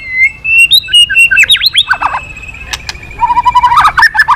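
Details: Once-silent white-rumped shama singing keenly again: a steady whistled note, then sweeping downward slurs and crisp clicks, ending in a low level whistle with a quick chattering flourish.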